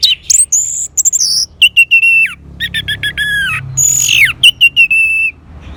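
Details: Orange-headed thrush singing loudly, used as lure audio to make another bird answer: a rich, fast medley of clear whistles, ringing repeated notes and downward sweeps, with brief pauses between phrases.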